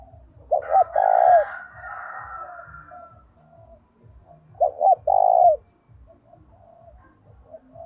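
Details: A spotted dove used to lure wild doves gives two loud phrases a few seconds apart. Each has two quick notes, then a drawn-out coo, with quieter cooing between and a steady low pulsing beneath.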